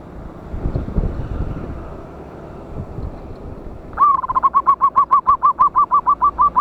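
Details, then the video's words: Local wild zebra dove with a loud voice, recorded 11/8/24 as a trapping lure: after four seconds of rumbling background noise, a rapid run of about sixteen short, clipped whistled coo notes on one pitch. "PANCINGAN BURUNG PERKUTUT LOKAL ALAM SUARA BESAR"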